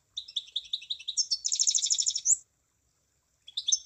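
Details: Munia song starting with a string of evenly spaced high chirps, then speeding into a dense buzzy trill that ends in an upward flick; a few chirps return after a short silence.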